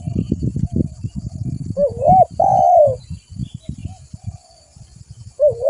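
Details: Spotted dove (tekukur), a vigorous caller recorded for luring birds: after low rumbling and knocks, a hooked rising coo and a long falling mellow note sound, then another hooked coo starts at the end.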